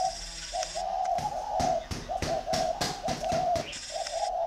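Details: Two spotted dove decoy birds compete, giving steady, continuous coos under repeated sharp tapping knocks, with a faint hiss in the background.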